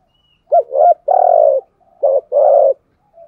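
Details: Spotted dove kept as a decoy for luring wild doves, cooing. Short hooting notes, then two long, level, husky coos around a second apart. There are no other sounds.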